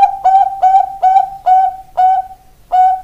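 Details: Singing ringed Bangkok-type zebra dove, or perkutut. About seven crisp coos sound at a steady pace of roughly two per second, each a quick bright onset settling into a sustained tone.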